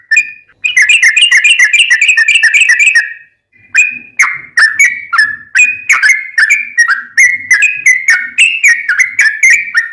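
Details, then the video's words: Sooty-headed bulbul, gacor trucukan with long ropel song for master training of caged birds; a fast rolling trill of about three seconds, a brief pause, then separate whistled notes at a steady pace. "Trucukan gacor tarung ROPEL panjang, masteran burung macet bunyi dan liaran pasti nyaut"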